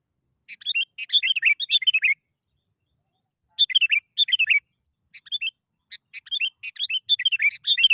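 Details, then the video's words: Lure song of a sooty-headed bulbul to make other bulbuls sing: lively chattering, warbled phrases in three bursts divided by brief silences, the last burst longest. "PANCINGAN BURUNG KUTILANG. Males Bunyi Auto Langsung Bersuara.."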